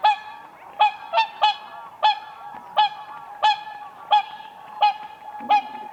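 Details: Whooper swans displaying on the ice of a spring lake: clear, bugling honks repeated at a steady pace, about one every half second to second, over a quiet background.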